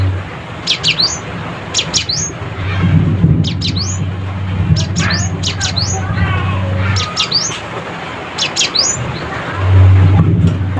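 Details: Cinereous tit calling rivals, repeating a sharp two-part note that drops then flicks upward, given in quick pairs about once a second, with a low humming drone and faint softer chirps behind.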